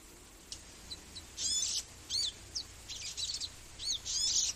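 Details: Magnificent sunbird producing high chirps and buzzy bursts in irregular quick succession, with some sharp arched notes between the longer buzzes.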